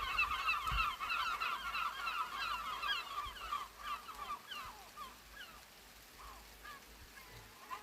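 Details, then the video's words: Gulls calling early in the morning in the rain: a busy stream of short, nasal, bending calls, rapidly repeated over one another, loud at first and thinning out towards the end, over a steady hiss of rain. "Sound of rain & seagulls early in the morning"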